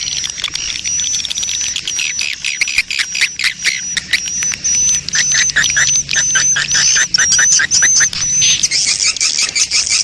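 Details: Swiftlet colony calls in breeding mood, a lure to attract swiftlets: rhythmic clicking chirps about two per second alongside a thin, continuous high tone that cuts out near the end, leaving a hissy wash.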